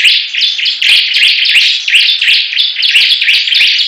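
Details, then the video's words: Bar-winged prinias singing against each other in competition: dense, high, buzzy notes overlapping continuously, several birds layered with sharp clicks and rapid repeated phrases. "Perang Ciblek Gacor"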